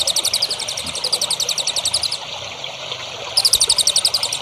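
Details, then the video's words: Songbird singing for a training recording meant for young birds being raised as contest champions: fast, evenly spaced high chirps about four per second, a short pause, then the chirping series resumes, over a light steady hiss. "MASTERAN BURUNG HANDAL UNTUK CALON BURUNG JAWARA"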